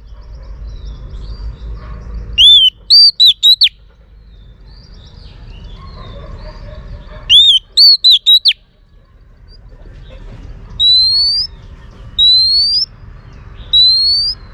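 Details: Female Oriental magpie-robin song to stimulate males: two whistled phrases, each a long arched note plus short slurred whistles, followed by three separate rising whistles spaced about one and a half seconds apart.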